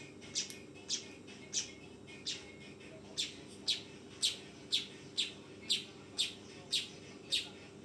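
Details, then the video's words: A fledgling weaver gives a run of piercing short chirps, becoming louder and more regular midway, about two per second, over a faint steady drone. "SUARA BURUNG MANYAR TROTOLAN"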